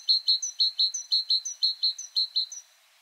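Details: Great Tit singing a typical variant of its simple, short, highly varied song: a steady, rhythmic series of about a dozen high paired notes, briskly repeated, ending abruptly.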